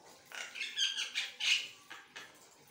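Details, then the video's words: Asian pied starling singing, a short burst of harsh, buzzy chatter with a whistled note at its peak, over faint background hiss. "Jalak kebo gacornya kelewatan nilai sendiri suaranya"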